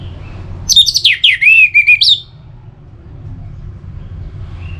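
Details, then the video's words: Orange-headed thrush, recording used to stimulate singing: one rich phrase of loud whistled notes that swoop up and down in quick succession, followed by quiet background hum. "Pemancing Burung ANIS MERAH Agar Selalu Gacor"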